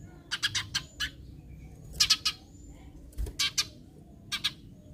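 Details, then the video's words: Eurasian tree sparrow calls used to get other sparrows calling: clusters of harsh, dry chirps in groups of two to four, spaced about a second apart, over a quiet low hum. "Pancingan Gereja agar burung gereja lain ikutan bunyi"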